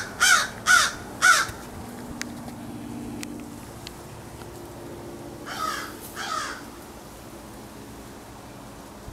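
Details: A couple of crows recorded on 4 February 2022: three loud harsh caws in quick succession, then a pause and two softer, more distant caws over a low background hum.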